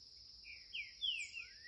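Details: A young green-winged saltator sings a "curricutil"-type song: a brief phrase of clear whistled notes, some sliding down and one rising at the end, over a steady high insect buzz.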